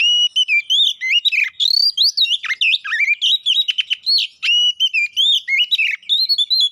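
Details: Oriental magpie-robin (kacer poci), caged songbird, lure song meant to provoke fighting: continuous loud, dense medley of whistles, twisting slurs and rapid sharp notes without pause.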